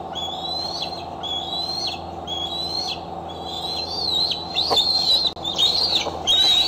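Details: Decorah eaglet back at the nest in the evening of July 4, 2011, with a slightly tender foot, recorded by nest cam; series of high, thin whistled calls, each rising and then dipping, repeated about once a second over constant hum.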